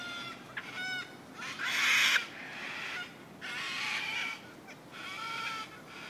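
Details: Several wild cockatoos living around the Royal Botanic Gardens in Sydney, Australia, give harsh, raspy screeches in three drawn-out bursts, each about a second long, with quieter squawks between them.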